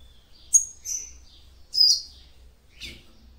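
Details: Female double-collared seedeater calling to stimulate a male: a few thin, high whistled chirps, one slurred note, then a single harsh burst.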